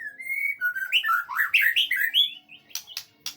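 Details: Training song of a White-rumped shama, played to prompt a reply: a long flat whistle, then a rich tumbling run of loud slurred and rising whistled notes, followed by a few sharp clicks near the end.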